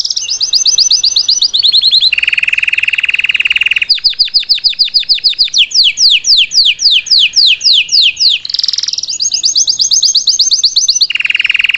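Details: Salsa canary singing for a young bird to learn, shifting between high rapid rolls, a lower continuous trill, fast clicking pulses and a run of steep descending sweeps.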